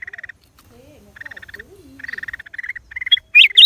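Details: Black-crested bulbul in April 2023 gives bursts of fast, buzzy chattering notes ending in a few louder, sharp rising whistles, with soft lower gliding whistles faintly beneath.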